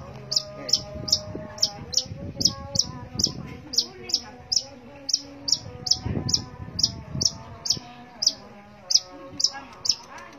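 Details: Long-tailed shrike in energetic full song: sharp, high chipping notes repeated steadily about every half second over a faint tonal hum, with low rumbling thumps near the start and middle.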